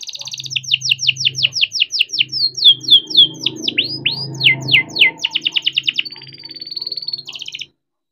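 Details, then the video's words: Young canary bred in captivity delivering a rolling song as a lure for other canaries: rapid downward-sweeping notes, fast trills and a drawn-out whistle over a steady low hum. "KENARI GACOR DOR COCOK BUAT PANCINGAN KENARI BIAR GACOR || KENARI GACOR PANJANG"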